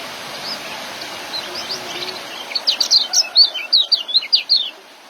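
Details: Young white-eye singing in the ngeriwik and joss style used for training caged birds: quiet scattered notes, then a fast, loud run of sharp, high, downslurred chirps, about three per second, over a faint steady hiss.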